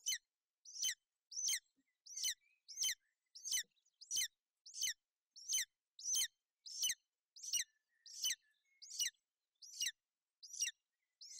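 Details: On 28 May 2021 a golden eagle chick chirps under its mother's feathers on a nest in Bucovina during inclement weather. A long, steady run of about sixteen high, piercing chirps comes roughly every seven tenths of a second.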